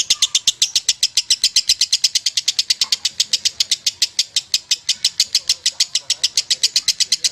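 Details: Lovebird in a long 'ngekek panjang' trilling song: an unbroken stream of harsh, rapid chattering notes repeated evenly at about six per second, sustained for the whole stretch without pause.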